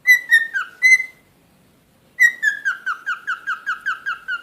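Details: Captive pet cockatiel whistles a few clear notes, goes quiet for about a second, then gives a rapid run of about ten short descending whistles.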